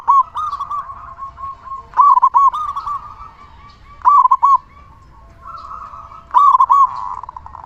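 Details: Loud, steadily singing local zebra dove, used as lure song to make other zebra doves sing. Four bold phrases of clipped, rolling coos about two seconds apart, with fainter murmuring coos filling the gaps.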